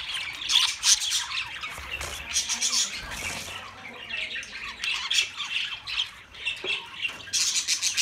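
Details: A crowd of budgerigars keeps up rapid, overlapping chirps and harsh squawks, high-pitched and busy, with louder bursts near the start and the end and a quieter patch in the middle.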